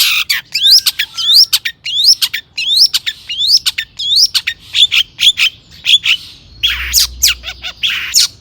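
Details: Long-tailed shrike in energetic song with mimicry, used to stir other shrikes into singing: a series of rising hooked whistles roughly one per second amid sharp clicks, then harsher buzzy notes.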